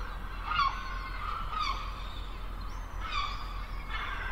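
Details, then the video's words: Gulls at the beach giving a few harmonic, mewing calls, each about half a second long and spaced irregularly over four seconds, with a steady low rumble of surf or wind beneath. "Sonido de playa y gaviotas"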